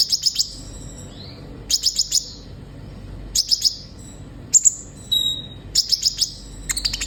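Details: Vigorous olive-backed sunbird song used for captive-bird training: regular groups of three or four piercing high chirps, roughly every second and a half, with a thin whistle between some groups.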